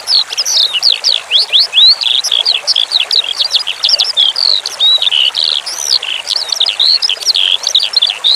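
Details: Eurasian skylark (branjangan) song for bird training, with flowing water: long, breathless sequence of high looping whistles and chirps in rapid succession, rising and falling notes tumbling together without pause.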